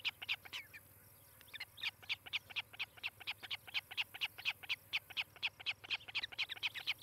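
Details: Nest-cam recording of an osprey couple building a nest in Charlo, Montana, 18 July 2018, morning. Shrill, piercing chirps come in quick succession, roughly two per second, briefly pausing near the start before resuming steadily over low background hum.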